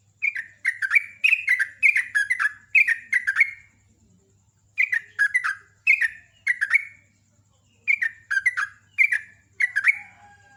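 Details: Repeated bubbly phrases from a sooty-headed bulbul in loud, rapid 'ropel' style: each short burst holds several liquid downslurred notes, with groups broken by clear silent gaps.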